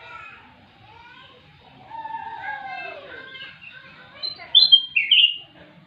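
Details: Black-capped bulbul (kutilang emas) singing actively with a full repertoire: a run of mellow whistled phrases, several slurred downward notes in mid pitch, ending with loud, bright rising-and-falling whistles over quiet background.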